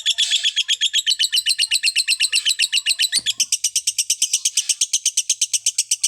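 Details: Lovebird giving a fast, even series of high, sharp chirps, about four per second, sustained without pause through the whole stretch; one brief low knock midway, otherwise clean.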